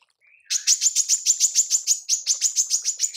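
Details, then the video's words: A soft short whistle from a female manggar, then a fast, even run of high, buzzy, clipped notes repeated about three times a second. "TEMBAKAN MANGGAR BETINA"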